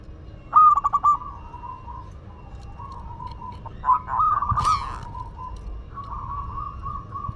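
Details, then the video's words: Local Madura zebra dove: one clear stuttering coo phrase early, then softer, longer drawn-out cooing, with a sharp click or knock midway and other doves audible at a distance. "Perkutut Lokal Madura Gacor"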